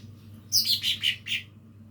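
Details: Lesser green leafbird practising its song: a quick series of five bright, high chirps, each slightly falling in pitch, delivered within about one second against a quiet background.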